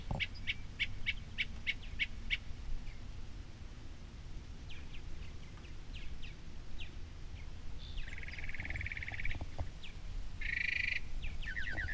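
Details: Wild Northern mockingbird singing from a tree by the water's edge at a reservoir in New Jersey; faint repeated chirpy notes and varied phrases, with buzzy trilled bursts near the end, over steady low background rumble.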